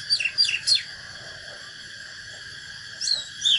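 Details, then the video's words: Short bursts of Oriental magpie-robin fighting song: three sharp descending whistled notes, a pause, then more whistles starting, with a steady high-pitched hum behind. "KÍCH LỬA chòe than || Chích chòe than HÓT ĐẤU CHIM TỰ NHIÊN"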